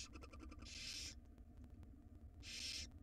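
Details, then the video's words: In a wild barn owl nest box, the chicks screech for food while the mother delivers a jird; a quick ticking rattle runs into a harsh hissing screech, then a second screech follows after about a second of hum. "Owl dinner: Barn owl feeds her nestlings a jird (similar to a gerbil)"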